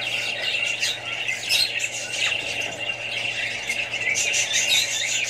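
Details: Australian budgies together with further birds and young: harsh squeals and squawks over a dense bed of high twittering, the noise steady and crowded, with a faint low hum.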